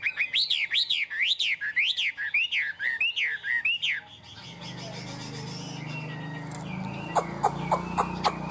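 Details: Caged tame Chinese hwamei singing high on its perch ('cao cầu'): about four seconds of looping whistled notes sweeping up and down, then steady hiss with scattered sharp clicks and faint chirps.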